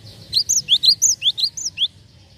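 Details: Java sparrow used to lure other birds, delivering around nine quick, high chirping notes with alternating slurs in a brisk burst, then falling silent.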